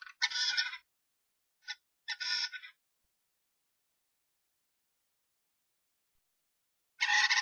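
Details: Three common starlings in a violent fight inside a nest box, an intruder clashing with the resident pair; rasping, noisy screeches in short bursts, two close together early, a brief squeak between, then a long silence before another grating burst.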